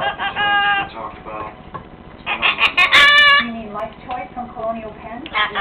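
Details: A pet Severe Macaw sings his own made-up song a cappella while dancing, warbling and squawking in rough, harmonic phrases, with a loud drawn-out crowing note near the middle and some speech-like chatter.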